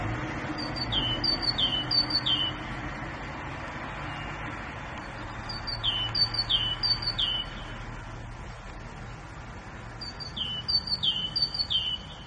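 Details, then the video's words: Grey bulbul repeating short bursts of high, descending whistles in three groups separated by pauses, over a low rumble of background noise. "بلبل الرصد الرمادي"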